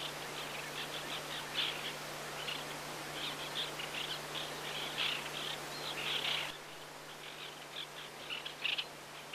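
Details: White-winged Terns, passage migrants, recorded either on Yonaguni, Japan, or in Mongolia, give short, harsh, scratchy notes in dense overlapping bursts, thinning to a single call near the end, over a steady low hum.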